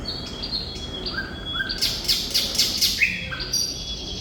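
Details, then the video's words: Thrush nightingale singing: short whistled notes, then a loud rapid burst of harsh strokes repeated about five times, followed by a rising note and further whistles. "Sikatan Londo Thrush Nightingale Gacor"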